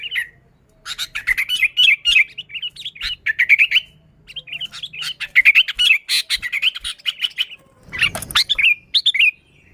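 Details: Sooty-headed bulbul song used to lure bulbuls: busy bursts of bubbly, warbled chirps around mid-high pitch, phrases running one to two seconds with short pauses, a brief rustling noise near the end.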